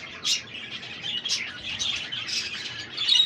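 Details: A flock of exhibition budgerigars with chicks in a breeding room of an aviary in Karachi chatter together: continuous high, scratchy warbles and chirps overlap, with sharper squeaks every second or so.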